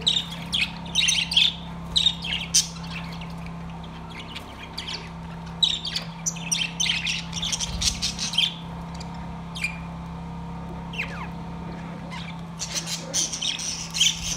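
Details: Budgerigars in a cage, singing: long stretches of lively, raspy chatter, with quick high squeaks and squawks tumbling together, pausing briefly midway, then resuming in dense bursts, with a continuous low hum behind.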